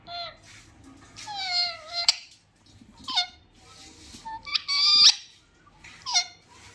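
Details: A small parrot talks in short, voice-like bursts with bright, stacked harmonics and gliding pitch. About five phrases are spread over seven seconds, separated by brief quiet gaps.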